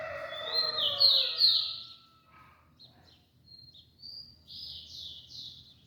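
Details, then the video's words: Whistled song of a rufous-collared sparrow, recorded on August 3: a pair of loud, high downslurred notes, a pause, then a thin note followed by a rapid series of falling whistles, over a low hum. "canturia de Tico-tico"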